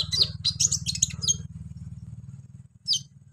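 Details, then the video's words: A brown-throated sunbird (kolibri ninja) giving its rough, lively song meant to excite untrained sunbirds: a quick jumble of high chirps and squeaks for over a second, then one lone sharp note, over a steady low pulsing hum. "KOLIBRI NINJA GACOR BONGKAR ISIAN KASAR BUAT MENAIKAN EMOSI KONIN BAHAN"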